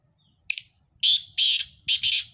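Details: Black francolins, a mix of several birds' voices: a short harsh note, then loud grating, buzzy bursts in a rapid rhythm of one, two and two notes, over quiet low background rumble.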